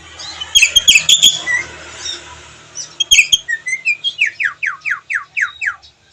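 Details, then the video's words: Javan myna, white-eyed, in full chatty song with varied fill-in phrases. Scratchy chirps lead into a fast series of about a dozen clear, downslurred whistled notes, with faint background noise. "jalak kebo mata putih gacor isian mewah."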